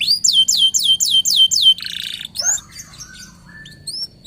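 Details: Local gacor canary used as a lure: six evenly spaced downslurred whistled notes, a short harsh buzzy burst, then scattered thin chirps and whistles.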